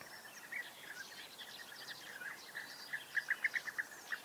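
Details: European bee-eaters calling, rolling burry notes repeated rapidly, a run of louder distinct calls near the end, with faint insect buzzing and other chirps behind.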